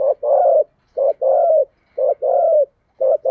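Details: Decoy spotted dove in rapid luring coos, a short low note then a longer mellow coo, repeated about once per second in an even, insistent rhythm.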